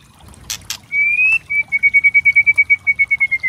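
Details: White-rumped shama song used as a tutor recording to provoke other birds: two sharp clicks, then a sustained whistle breaking into a fast even trill of about fifteen pulsed notes, gently falling at the end.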